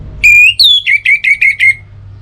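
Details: Orange-headed thrush song meant to prompt other birds to sing in the morning and evening: a long clear whistle, a higher note, then about six short descending whistles repeated quickly and evenly.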